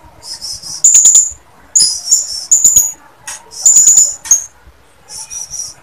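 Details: A female blue-crowned hanging parrot calls to males with thin, very high, piercing notes in short rapid bursts, some with a fluttering, rattly edge, separated by brief pauses.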